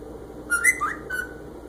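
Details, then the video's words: Pet Senegal parrot copying phone noises, giving flat, beep-like whistles with a brief rising and falling slide in the middle and a steady final tone. "Senegal Parrot making phone noises"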